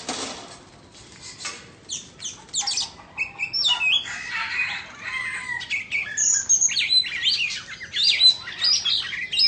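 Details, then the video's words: Indonesian white-rumped shama singing while dancing with its tail fanned: loud, varied high chirps, sweeps and whistled notes, irregular and tumbling, with short pauses between bursts. "Choè Than Indo hót múa xoè"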